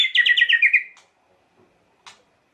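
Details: White-rumped shama song used as a lure to provoke emotion in other shamas: a rapid buzzy trill of repeated notes lasting about one second, then near silence with one faint short note.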